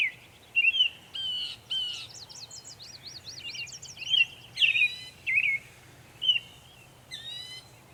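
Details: Northern Mockingbird in Savannah, New York, on 23 May 2021 singing a varied medley of phrases: sharp zigzag trills, buzzy notes and clear slurred whistles, each changing quickly, with a low rural hum beneath.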